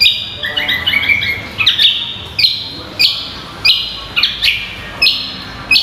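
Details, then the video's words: Greater green leafbird (cucak kombo) singing energetically on a training recording for songbird contests: sharp, high chirped notes with brief upward flicks, repeated in irregular bursts about every half second against a quiet background. "MASTERAN AMPUH BURUNG CUCAK KOMBO GACOR"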